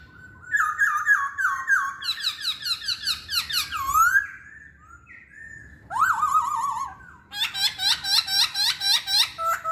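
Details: Chinese hwamei song of rapid, rolling whistled notes, quick repeated high chirps, a long level whistle, then a falling slurred phrase and a fast energetic series of high notes.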